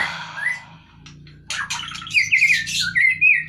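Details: Caged white-rumped shama, removed from its cage to lose fat, starts with a soft rising whistle, then breaks into rapid harsh chatter and bright warbled whistles, with a constant low hum behind.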